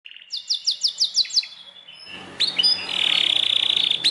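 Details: Belgian canary singing: a run of about seven quick descending high chirps, then a short pause and a bright sustained trill with rising whistled notes, faint background hiss.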